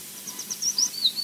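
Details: Osprey chick begging at Loch Garten, Scotland: a quick run of thin, high cheeps ending in a longer, slightly falling whistled slur, all within about a second, over faint background hiss.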